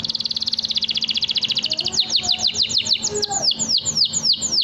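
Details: Canary delivering a long, sustained song, used to train young canaries: a fast, even trill of high notes about four per second, shifting to a run of sweeping down-slurred whistles.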